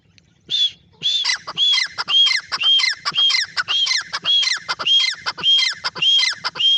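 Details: Francolin in full voice, one short note then a long run of grating, squawking phrases, each with a clear high ringing part, delivered steadily about twice per second.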